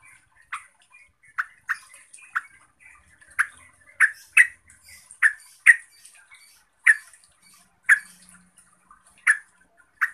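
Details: Yellow-vented bulbul (Pycnonotus goiavier) provoking rival bulbuls: a lively run of about fifteen sharp, bubbly chirps, irregularly spaced and growing louder midway, with soft twitters between them and a quiet background.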